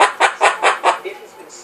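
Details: A pet cockatoo, which the owner says is making noise, gives five harsh, raspy squawks in quick succession, about four or five a second, then trails off into softer, scratchy notes.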